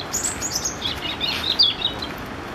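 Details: European robin at Dziwnówek, Poland, 12 June 2014, singing a thin, high, tinkling phrase of quick varied notes that jump between pitches, over a steady hiss of background noise.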